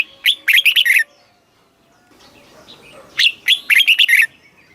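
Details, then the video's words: Red-whiskered bulbul kept in a cage in Thailand sings southern master-style phrases for exciting birds and teaching chicks: two lively bursts of five or six ringing whistled notes, separated by a quiet gap. "เสียงนกกรงหัวจุก สำหรับต่อ หรือ เปิดให้นกคึก"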